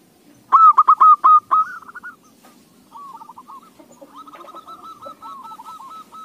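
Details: Zebra dove song for luring other doves to sing: a sharp, loud run of clipped coos, then quieter rolling phrases and a longer series of soft, rhythmic coos.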